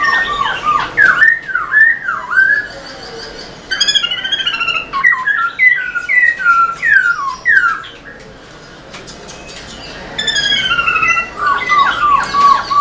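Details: Kept black-throated laughingthrush in full song while tail-dancing: rapid looping, yo-yoing whistles about a hundred a minute, mixed with scratchy chatter, a short pause, then more swooping whistled phrases, meant to stir other caged birds.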